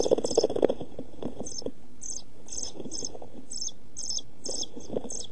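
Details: European pied flycatcher chicks, 11-12 days old, in a nest box on 29 June 2013, near fledging: loud rustling and knocking at first, then a steady run of high, thin, doubled calls several times per second.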